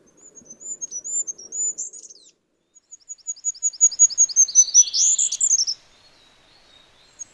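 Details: Free-living Goldcrest repeating its very high, sibilant song: rhythmic see-saw notes building in volume to a quick twittering finish, two phrases with a brief gap, otherwise quiet.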